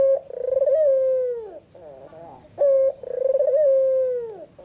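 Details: Melodious afternoon cooing from a white, red-eyed Barbary dove. Two long coos, each beginning with a quick pulsing tremor and ending in a downward slide, are linked by a short steady note and low, soft gurgles.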